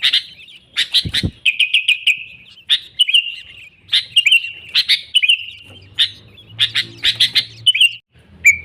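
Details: Sooty-headed bulbul (kutilang) in full, lively song, used as a lure to trap wild bulbuls; bright bubbly chirped phrases, each a quick stutter ending in a short level note, repeated about every second with brief gaps, one low thump early on.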